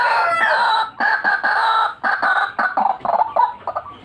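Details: White-breasted waterhen calling energetically in a lure recording used to attract birds: a loud, continuous run of harsh, nasal croaks repeated several times a second, growing choppier and faster towards the end.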